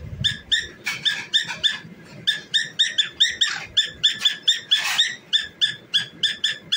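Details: Cockatiel sings and dances, giving a steady stream of buzzy, harmonic chirps, around three per second, interrupted by a louder rasping burst; faint low knocks beneath.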